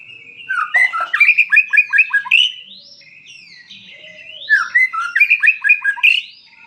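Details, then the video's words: White-rumped shama singing vigorously: two bursts of song, each a quick run of rich, descending slurred whistles repeated about six times, mixed with higher sharp notes and brief rising sweeps, separated by a quieter scratchy warble. "suara burung murai auto gacor"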